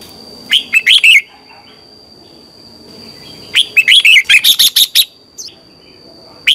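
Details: Red-whiskered bulbul morning song, a lure recording for training bulbuls: a short four-note whistled phrase, then a longer excited run of about nine bright warbled notes, ending with a single faint note. A thin steady high tone is heard throughout.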